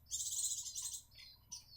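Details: Grey-cheeked Bulbul (Javan), young from a captive breeding pair in South Jakarta, now perching on the second day after removal from the nest: one long scratchy high buzz of nearly a second, then two shorter rasping notes trailing off.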